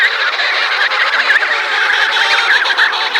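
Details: Dense chorus of emperor penguins in an Antarctic colony at Cape Washington during chick feeding, countless trilled whistles overlapping into a continuous roar-like wall of sound.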